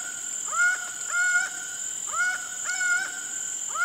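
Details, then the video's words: Laughing falcon giving repeated two-part calls, a rising swoop that flattens into a held nasal note, about every 0.7 seconds; a continuous high background whine. "O ACAUÃ e seu CANTO MISTERIOSO (HERPETOTHERES CACHINNANS) LAUGHING FALCON"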